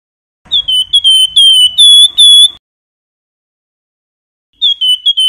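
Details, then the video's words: Javan white-eye in the 'flamboyan' whistling style, used as a tutor and prompt for contest songbirds: pure, clear whistled notes, each steady or slightly falling, given in a quick run of about six, then a pause before another short burst. "Siulan Sultan Harga Terjangkau Burung Wergan Jawa Flamboyan Cocok Buat Masteran maupun Pancingan"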